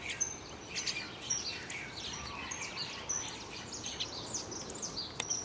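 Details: Common waxbills on a June 1, 2021 morning in Kailua-Kona, Hawaii, give a busy stream of thin, high chips and twittering notes, with short sharp whistles about once a second, over a soft outdoor hiss.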